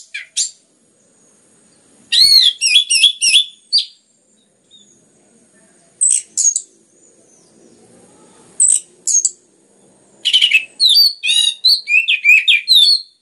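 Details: Orange-headed thrush (anis merah), recorded to stimulate other birds into song: scattered bursts of sharp, varied whistled and chattering phrases with silent gaps, ending in a long rapid sequence of slurred notes.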